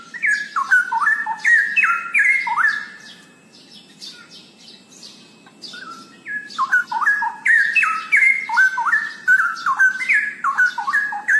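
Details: Cucak rowo, the straw-headed bulbul, in full energetic song: fast cascades of liquid, stepped whistled notes, rising then tumbling down, delivered in two long bursts with a quieter gap in the middle and light background chirping.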